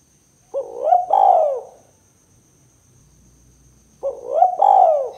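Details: Spotted dove (tekukur) calling in the 'kuk 2' pattern used to trap and provoke other doves; two identical phrases about three seconds apart, each a brief upward hoot then a longer drooping coo.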